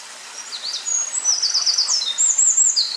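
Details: Eurasian wren in song, recorded 19 May 2012: after a quiet start, a fast high-pitched cascade of buzzy trills and clear whistled notes, steady background noise throughout.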